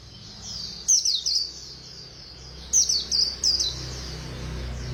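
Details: White-eye in fast 'khuyên líu' song: two brief bursts of high, sharp, tumbling chirps about two seconds apart over a steady low background hum.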